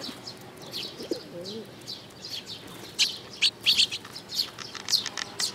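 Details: On 13 May 2018, Eurasian tree sparrows with chicks chirp busily, with loud high clustered chirps in the second half, after a brief low dove coo near the start.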